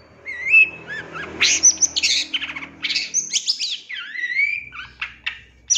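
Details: Long-tailed shrike master song for training captive birds, 'isian nembak' style: varied whistled slurs, rising and falling notes and scratchy high bursts over a faint low background rumble.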